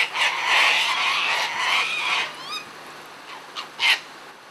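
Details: Sulphur-crested cockatoos feeding together in a frenzy: a long drawn harsh screech lasting about two seconds, then softer grating notes and one final sharp squawk.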